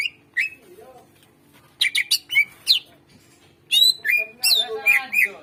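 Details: Greater green leafbird in energetic full song, used to prompt birds that rarely sing: scattered whistles, then clusters of rapid sharp chirps and sliding whistled notes, busier toward the end.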